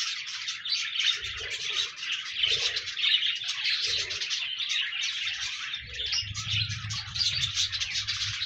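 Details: Busy chirping and warbling from several pet budgerigars, fast scratchy phrases running together, with some low murmuring notes near the end, to encourage a lonely budgie to sing.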